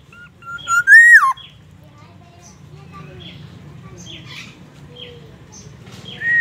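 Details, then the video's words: Black-naped oriole singing, said to mimic White-rumped Shama and an ambulance siren: one loud whistled phrase rising then sharply dropping, followed by several seconds of faint scattered chirps over low hum. "Kepodang emas gacor bongkar isian murai batu dan suara ambulance"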